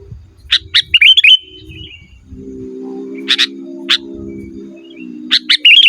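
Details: Lively sooty-headed bulbul song for luring wild birds and training cage birds: clusters of sharp chips alternating with short warbled whistles, over a continuous low hum and soft rumbling.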